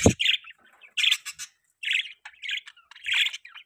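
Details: Young pet budgerigar giving short harsh squawks, roughly one every half second, each a hoarse buzzy note with quiet gaps between, after a brief low knock at the start.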